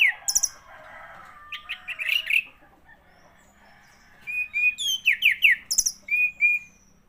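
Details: An orange-headed thrush sings scratchy chatter and a quick trill, then goes quiet. It resumes with a series of clear descending whistles, each repeated in pairs, before fading.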